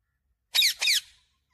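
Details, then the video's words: Pet parrot that talks, saying "mummy papa"; two sharp, high squeaky notes close together, each bending downward, in a quiet room. "मम्मी पापा बोलने वाला तोता"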